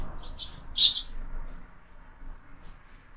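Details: Sparrows at a feeder fixed to a window, where birds are fed all year. A few sharp high chirps come in a tight cluster, one loudest, followed by near quiet.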